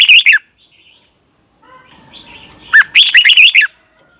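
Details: Thai red-whiskered bulbul in a cage singing doubled (เบิ้ล) song: the tail of one phrase, soft faint notes, then a loud, cheerful, bubbling whistled phrase of about a second.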